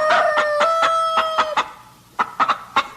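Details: Chicken clucking: a drawn-out, nasal tone followed by a run of short, sharp clucks, a pause, then another burst of quick clucks.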